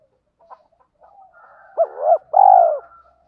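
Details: Spotted dove gives a short, low cooing phrase: one arched hoot followed by a longer, rolling, slightly descending coo, with soft higher bird notes in the background.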